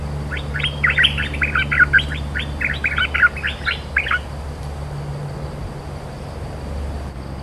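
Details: A cream-vented bulbul, a dominant territorial bird, gives a fast, chattering burst of bubbly notes lasting about four seconds, then falls silent over a low steady hum.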